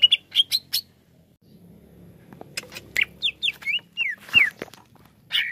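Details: Caged greater green leafbird giving scattered short chirps, then a lull with faint background noise, followed by varied whistled notes that slide downward, some buzzy, ending in a loud burst.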